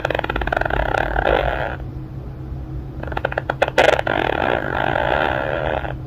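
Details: Pet male monk (Quaker) parakeet napping with his owner, snoring in his sleep: raspy, buzzy snore-like sounds in two long bursts, the second breaking into chuckling "evil laugh" clicks.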